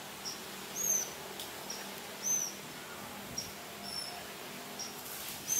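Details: A just-fledged juvenile banded bay cuckoo in Singapore, still poor at foraging, calls pathetically for food: thin, very high squeaky notes, each brief and about a second apart, over quiet background hiss.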